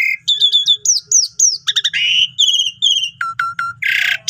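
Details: Energetic Asian pied starling song meant as a master recording for teaching reluctant starlings: quick series of clear downslurred whistles, metallic chips and a harsh buzzy burst near the end, delivered almost without a break.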